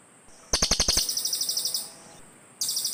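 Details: Rapid run of hard, high ticking notes from cililin birds answering one another, used as a forest bird lure; one long trill of about fifteen clicks slowing slightly, then a second burst starts.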